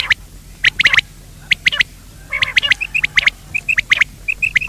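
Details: Quail calling to lure birds for net hunting: crisp triple notes repeated in bursts, mixed with shorter soft piping notes in quick succession toward the end, over a faint low hum.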